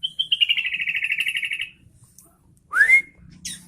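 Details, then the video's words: Sooty-headed bulbul singing actively: a rapid trill of about fifteen evenly spaced notes, sliding slightly downward over a second and a half, then a short pause and one sharp, rising whistled note. "Suara Burung Kutilang Gacor"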